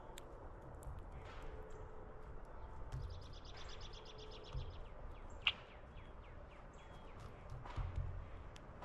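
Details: A red-winged blackbird (Agelaius phoeniceus) on a feeder tray gives sharp chirps and a rapid, high, buzzy trill lasting over a second, over low rumbling background noise with a single sharp tap.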